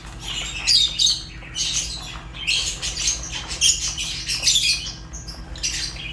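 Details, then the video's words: Shrill squawking chirps from a group of Fischer's lovebirds, harsh bursts tumbling over each other in a lively, constant chatter. "تغاريد فيشر غندور روز"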